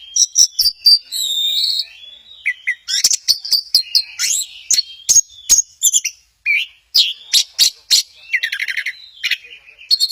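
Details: Orange-headed thrush from Kesamben, doing a swaying 'goyang inul' display, sings a rich varied song: high sharp chirps and buzzy trills mixed with sweet whistled phrases, delivered in rapid bursts with brief pauses.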